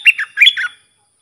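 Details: A short, fast sooty-headed bulbul phrase of four slurred, chortling notes, taken from a song used to train young birds.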